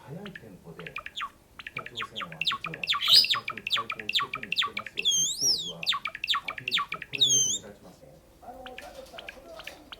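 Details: A pet cinnamon (sakura) Java sparrow, not yet singing properly at first, gives a fast run of dry clucking, ticking notes broken by a few drawn-out, high, wavering whistles, with a soft human voice faintly underneath.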